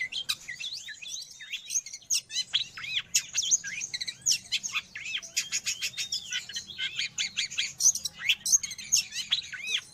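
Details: Dense, continuous long-tailed shrike song for training pet birds or luring wild birds: chattering medley of high scratchy notes, curved whistles and quick mimic-like phrases with hardly any gaps, with no other noise.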